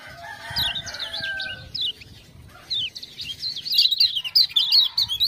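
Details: Lemon-bellied white-eye from Lombok, a tutor bird prompted by ciak-ciak sounds; high rapid twitters building into a dense chattering run, preceded by a lower rough warbling phrase and set against low background rumble.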